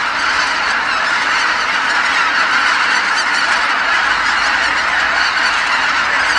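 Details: Dusk at Kabukuri-numa marsh, where tens of thousands of geese come back from feeding while calling all at once; a massed, seamless din of honks, steady in volume, with a faint low hum beneath.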